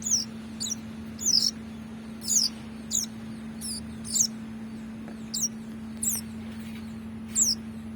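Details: Ciblek chick calling while being hand-fed: rapid, very high, thin chirps that slide downward, coming in uneven runs about once or twice a second, a faint steady hum below.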